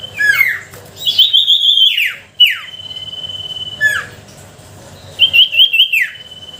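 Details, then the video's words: Sooty-headed bulbul singing a lure meant to coax lazy bulbuls to call: clear whistled notes, some held level and others sliding steeply downward, spaced apart, with a short trilled phrase near the start and another near the end. "Suara pancingan sirtu pikat gacor dor,sangat ampuh untuk memancing sirtu malas bunyi."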